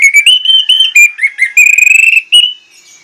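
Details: Orange-headed thrush in full lure song with imitated phrases: loud, clear whistled notes sliding upward, then a fast trill of repeated piping notes and a final bright whistle.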